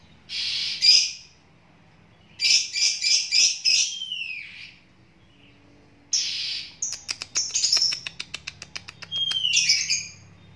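A sooty-headed bulbul gives bursts of harsh, chattering notes, a quick clicking rattle and a few bright downslurred whistles, over a faint low hum.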